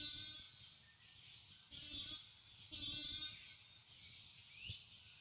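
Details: Sunrise at a Florida wading-bird colony, many birds present: harsh, nasal bleats of roughly half a second, given in bursts about a second apart, one rising squeak near the end, steady hiss behind.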